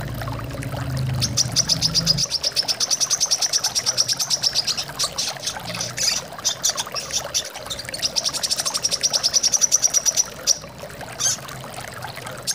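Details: Long runs of rapid, sharp, high-pitched chirps from a brown-throated sunbird, paused and resumed, over a bed of trickling water, with a short low hum at the start; a prompting sound for birds.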